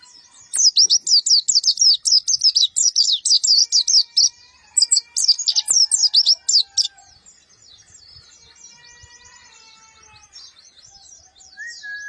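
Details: Black-eyed white-eye with a rough voice firing short bursts: rapid, harsh, high chirping notes in two dense runs of roughly twenty notes each, then faint chatter and a thin tonal hum in the background.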